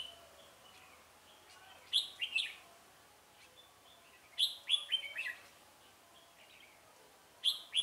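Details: Red-whiskered bulbul used as a decoy in Vietnam to lure rival males into a trap, 17 November 2017: short bursts of bright, slurred whistled phrases in three clusters over steady background hiss, with men talking nearby.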